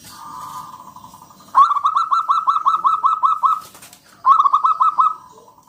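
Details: Wild local zebra dove, loud and clear, luring other doves to sing: a held tone, then a quick rolling series of about fifteen bright repeated notes, a brief gap, and a shorter matching burst.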